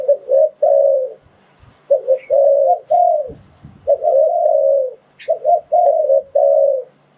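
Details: Spotted dove coo used to attract wild doves for trapping: several phrases of short stuttered coos ending in long mellow notes, with a few faint clicks and low thumps.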